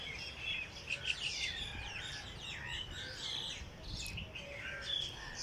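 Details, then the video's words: Birds singing in the early morning in Jilani Park, Lahore: faint mixed chirps, short whistles and trills from several birds over a steady low background rumble. "Birds sings in Jilani park Lahore early morning"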